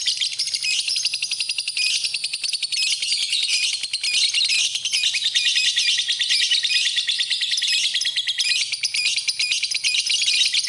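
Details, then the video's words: A lovebird gives a long, unbroken stream of shrill, rapid chattering and twittering, high-pitched and even in loudness throughout, with no other clear sounds. "Kicauan Burung, Love Bird, Masteran Love Bird"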